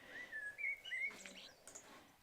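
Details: Eurasian blackbird singing a slow, mellow phrase of deep, melancholy fluted whistles reminiscent of a tuneless human whistle, ending in a brief squeaky twitter; it sings for a bit, then pauses for quite a while before singing again.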